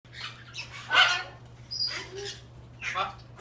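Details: Captive hyacinth macaw at a parrot park in St-Placide, Laurentides, Quebec, making unusual noises indoors: three harsh, broadband squawking bursts about a second apart, the first loudest, over a steady low hum.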